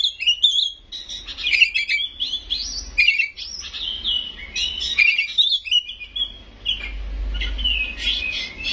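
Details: Oriental magpie-robin in kacer gacor song full of isian and nembak: a long varied run of whistles, chirps and harsh sharp notes with short pauses, plus a faint low hum underneath.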